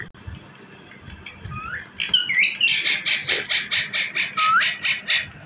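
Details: Green parrot from Pakistan, a pet indoors, giving a few rising whistled notes, then a rapid harsh chattering series of about a dozen loud pulses roughly every third of a second, with a final upward whistle.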